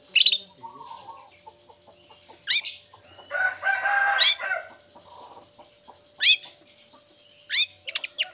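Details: Vocal long-tailed shrike singing after its cage cover is opened, a lure to prompt lazy or moulting shrikes to sing. Loud sharp downslurred whistles alternate with a harsh, broadband rasping burst, over a faint steady hum.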